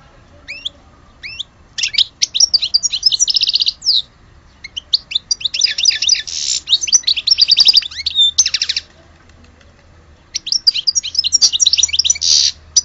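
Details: European goldfinch from Algeria singing a long, lively twittering song of rapid high chirps, buzzy notes and liquid trills in bursts separated by short pauses, over a faint low hum.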